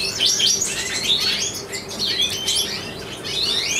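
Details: A male satinet-mutation European goldfinch, hatched 2013 and carrying white-head, kept as a breeder, sings a fast, unbroken run of bright tinkling twitters and short buzzy trills, high-pitched and liquid, with no other sounds heard.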